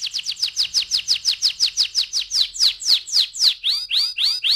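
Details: Canary lure song for rolling singing: a rapid series of clear, steeply falling chirps that gradually slows, then turns into rising, looping whistled notes.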